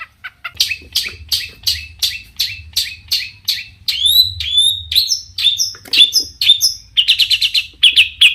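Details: Varied song of a long-tailed shrike, a lure phrase that stirs other shrikes to reply: regular sharp chirps, then looping whistled slurs, closing in a fast chattering series.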